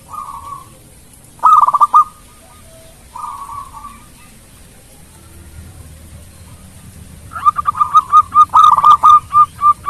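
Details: Melodious song of a local Indonesian zebra dove meant to trigger quick replies from rivals: brief coo phrases separated by quiet, then a closing stretch of fast, regular staccato coos, about two per second.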